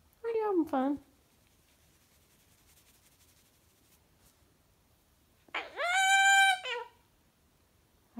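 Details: A pet Goffin's cockatoo indoors gives a quick pair of falling, voice-like syllables, then after a pause a loud, drawn-out nasal word lasting about a second.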